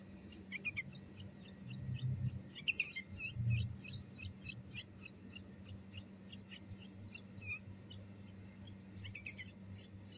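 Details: Young bulbuls being hand-fed at home: quiet chirps, then a burst of loud shrill begging squeaks in quick succession, followed by short high cheeps, with a low droning hum and soft handling noises.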